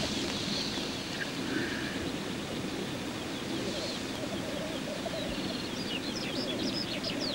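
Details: Black grouse cocks bubbling at a courtship lek, a soft low rolling chorus under a busy layer of high chirping songbird calls that grows denser toward the end.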